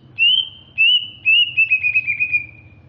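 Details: Greater green leafbird from Alas Purwo, Banyuwangi, East Java, whistles three loud, pure, slightly rising notes, then a quick wavering trill of shorter notes drifting lower.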